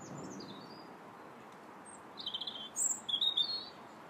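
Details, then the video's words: Robin singing in January: a few high, thin warbled phrases around the middle and end, with brief sliding notes at the start, over a faint steady background hiss. "Still the Robins Sing January 21st"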